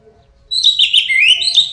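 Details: A single continuous rich warble from an orange-headed thrush (anis merah), used as a lure to set birds singing loudly; tumbling whistled and buzzy notes pour out without pause.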